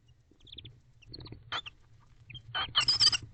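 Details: Barn owl pair at a nest box late at night, 19 October 2023, mating for the first time on camera; soft scattered clucks and ticks, then a loud rasping hissed screech in pulses near the end, with low background hum.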